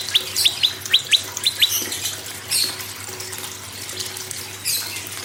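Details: Prinia song for prompting other birds: a quick run of about seven sharp rising whistles in the opening two seconds, then only a hissing, splashing background.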